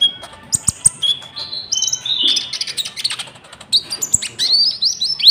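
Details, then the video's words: Common iora lure song with cricket-like inserts, meant to draw wild birds and to teach caged ones: a chain of stepped whistles and rising slurs mixed with scratchy chattering and sharp clicks. "PANCINGAN GACOR BURUNG KONIN ISIAN JANGKRIK"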